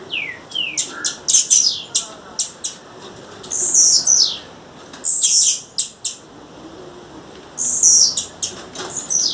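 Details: A female blue-black grassquit in the wild gives a few falling thin whistles, then rapid high chips and repeated long buzzy rasping notes at irregular intervals.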